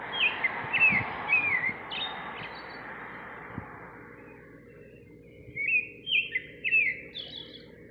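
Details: Singing outside a kitchen window, a nightingale gives short runs of bright whistled, slurred notes in two bursts separated by a quiet gap, with faint low background rumble.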